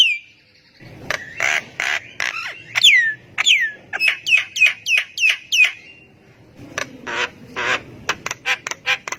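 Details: Javan myna in full song, provoking other mynas to reply; harsh buzzy bursts, then a regular series of sharp downward-sweeping whistles, ending in rapid scratchy notes.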